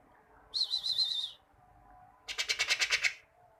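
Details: Greater green leafbird singing, offered as tutor song so kept birds sing often: a wavering high trill, then a loud series of rapid, evenly pulsed notes, over a low background rumble.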